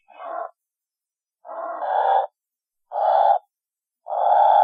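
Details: Pelican giving four harsh, droning mid-pitched notes of uneven length, roughly one every 1.4 seconds, against a silent background.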